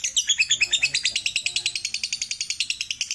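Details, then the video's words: Fast ngekek chatter from a lovebird, a sharp, buzzy, high-pitched note train of about three notes per second, unbroken throughout, with a quiet background. "Terapi Burung Lovebird biar Cepat Gacor"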